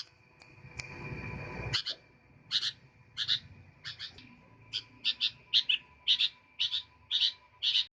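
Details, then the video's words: Sooty-headed bulbul in active song: after a brief burst of rustling noise, clipped chirps begin, single and paired, repeating roughly twice per second over a low steady hum. "Burung kutilang gacor"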